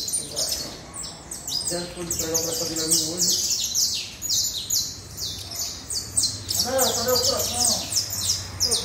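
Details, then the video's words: Saffron finch, locally canario da terra, pouring out quick high chirps roughly three per second, with a low hum and faint mid-pitched sounds in the background. "Canario da terra"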